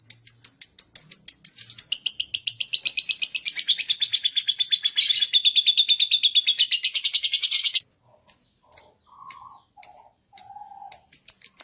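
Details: Lovebird in long ngekek chattering, a dense, fast stream of grating high notes lasting about eight seconds, then a broken run of sharp single chirps with short gaps.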